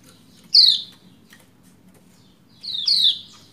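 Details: Female Lombok white-eye calling to a male to stir a quiet male into singing: two harsh, descending 'ciak' notes about two seconds apart over a quiet background hum.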